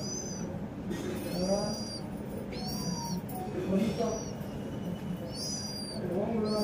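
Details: Household house sparrow chirping in short bursts of two or three clipped, slightly rising notes, with gaps between bursts, soft voices and a low hum beneath.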